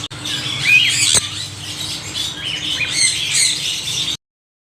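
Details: Several parrots squawking noisily together, with rough, grating calls repeated in quick irregular succession before the sound stops abruptly.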